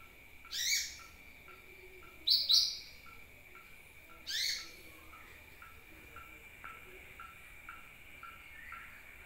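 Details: A sunbird used as a lure call gives sharp, very high chirps in short bursts, four within the first five seconds, over a steady high insect-like whine and faint ticking.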